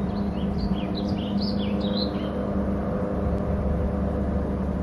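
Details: On Hornby Island at a nest territory, a bald eagle gives a chattering series of high squeaky notes over about two seconds, heard through strong steady wind and low background rumble.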